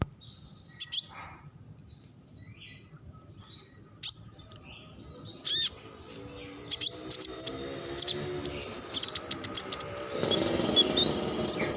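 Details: Kinglet Cisticola, praised as king of non-stop ngacor singing birds: short, very high thin chirps and trills in scattered bursts, with gaps of quiet between, then denser ticking notes toward the end over low hum.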